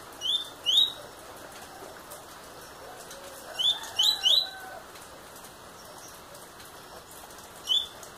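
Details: Eight-month-old double-collared seedeater producing scattered short rising whistles, a pair, then a cluster of three, then a lone note, amid soft rustling and fluttering noise.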